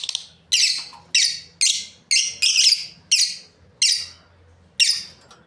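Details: Pair of lovebirds kept for breeding chirping in harsh, piercing high bursts, around nine notes in five and a half seconds, one longer burst of rapid chatter, with a faint low hum.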